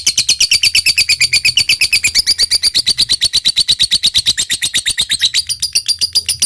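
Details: Lovebird giving long ngekek chatter meant to stimulate other lovebirds to answer: steady, very regular high-pitched clicking notes repeated about three per second without pause, loud and close.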